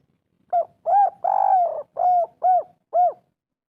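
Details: Spotted dove 'kuk 3' lure call for prompting a silent bird: about six mellow, arched coos in quick succession, one longer drawn-out note in the middle, clean and close.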